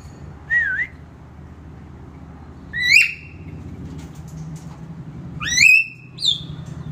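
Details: Nias hill myna in the morning gives four loud, ringing whistles in about seven seconds, each a sharp rising or looping sweep, over a steady low background hum.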